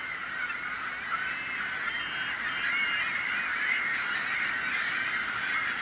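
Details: Many seagulls crying at once, noise meant to frighten off predators; steady, crowded wall of harsh overlapping calls with no pauses throughout.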